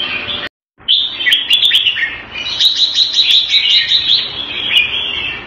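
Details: A caged red-whiskered bulbul, Thai-style keeping in Singapore, February 2018, sings after a brief cut: a sustained flow of rapid, trilling chirps and whistled notes, fast and rippling.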